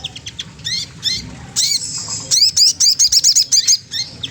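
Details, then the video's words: Magpie-robin singing to goad a rival: a few upslurred whistles, then a fast series of bright, high chipping notes near the end, with a low background hum. "Suara bunyi sogon trotol menggoda lawan ampuh banget untuk rangsangan bunyi"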